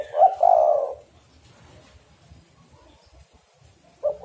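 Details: Lure call of a spotted dove, used to draw in birds for trapping. A hoarse, rolling coo phrase opens, followed by quiet low rumbling, then the start of the next coo at the end.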